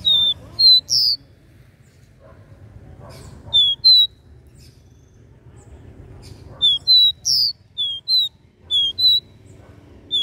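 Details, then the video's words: Capped seedeater singing the regional three-note "dó ré mi" song: bursts of clear whistled notes with a buzzy higher note, phrases repeated around 0.7, 3.5 and 7 seconds with quiet pauses between. "CANTO DO CABOCLINHO DÓ RÉ MI 3 NOTAS REGIONAL"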